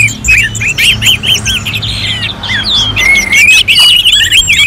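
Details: Rapid song of Orange-headed thrush, contest simulation from Singaraja, Bali: a string of quick rising-falling whistled notes, then a long level whistle and a tumbling warble near the end.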